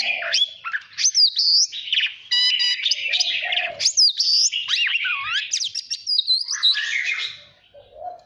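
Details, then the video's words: Song of an Oriental magpie-robin for voice training and stimulating fighting song: long varied phrase of loud high whistles, sweeping slurs and a short buzzy stretch, with occasional low whistled notes underneath. "Chòe than hót hay /luyện giọng /ép giọng chuẩn /kích chim hót đấu hiểu quả"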